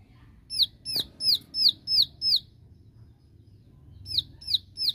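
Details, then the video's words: A bar-winged prinia giving a challenge call to rivals, said to draw other prinias to answer: a fast series of six high, downslurred notes, about three a second, a pause, then more; faint low rumble beneath. "Suara Tembakan Ciwah Memanggil Lawan .Ciwah Lain Pasti Ikut Nembak"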